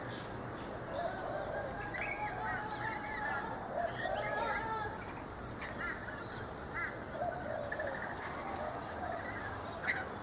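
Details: In a backyard guava tree in Brisbane, Australia, a flock of feeding rainbow lorikeets gives rasping, chattering screeches. The calls cluster densely early on, then thin to scattered sharp notes over a steady background hum.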